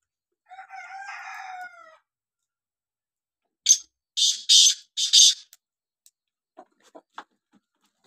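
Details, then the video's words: Red rooster giving a brief crow of about a second and a half, a harmonic drawn-out note dipping slightly, followed after a pause by several sharp high bursts and scattered faint clicks. "Red Rooster"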